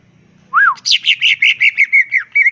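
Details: Greater green leafbird singing with crest raised in the ngentrok style. One loud up-and-down slurred whistle is followed by about nine quick, buzzy repeated notes that steadily fall in pitch.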